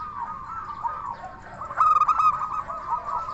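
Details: Local zebra dove with a crystal voice, singing as a lure for other doves: after soft background cooing, one loud phrase of quick sharp coo notes ending in two longer ones.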